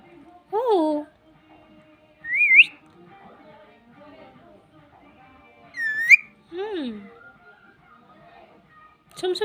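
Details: Parrot giving several separated sounds in a quiet indoor setting: short falling harmonic notes and rising whistles, with pauses of one to three seconds between them.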